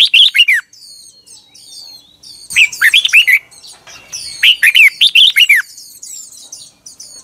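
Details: Red-whiskered bulbul singing in the morning in 2021, a recording meant as lure song for training birds. Loud bursts of quick, slurred whistles rising and falling, separated by short pauses, over a constant faint high chatter.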